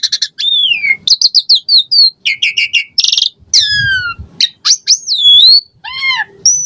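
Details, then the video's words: Caged Asian pied starling in full varied song meant to prompt other birds to sing: rapid clicking bursts, downslurred whistles, a dense buzzy rattle and looping harmonic notes in quick succession. "Jalak Suren Gacor Full Isian Variasi Mewah !!! Pancingan Jalak Suren Ocehan Suara Burung"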